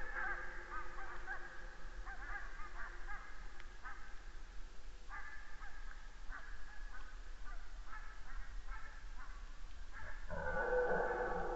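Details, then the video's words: Geese flying over a deer camera in Estonia, 29 September 2015; distant honking comes in loose groups, then fades, with low rumbling background noise throughout. "many Geese fly over"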